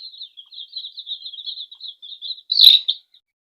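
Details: Young chicks beside their feeding mother hen in a house, giving a fast string of soft high peeps ending in one loud, sharp cheep.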